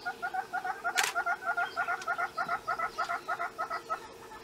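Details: Southern red-billed hornbill (Tockus rufirostris) in Kruger National Park, piping display call while doing its display jig: a steady run of hollow, clucking notes, about three per second, with one sharp camera click partway through.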